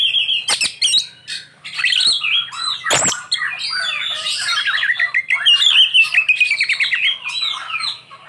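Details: Oriental magpie-robin with a lavish, varied song: sharp clicks and whistles give way to a long, rapid, chattering warble of varied notes, with a loud snap near the middle.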